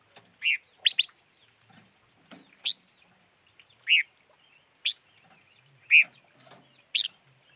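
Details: A calling bird, named locally as the five-coloured bird, gives single short chirps every second or so, some rounded and some sharp and rising, with a quick double note near the start and soft rustles in the background.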